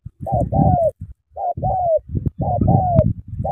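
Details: A spotted dove, around midday, gives soft, hollow coos in short paired phrases, the second note drawn out and slightly falling, repeated about once a second over a low rumble.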